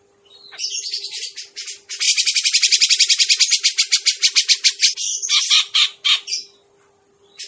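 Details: Grey-cheeked bulbul trapping-lure sound: scratchy notes build into a long, fast series of harsh, rasping pulses lasting about four seconds, then break into separate buzzy chips, with a faint low hum underneath.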